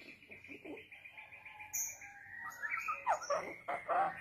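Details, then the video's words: Young Bali mynas: a quick, steady run of repeated notes gives way to harsh, buzzy chatter and slurred whistles, with thin high tones faintly in the background. "Pancingan Jalak Bali Muda"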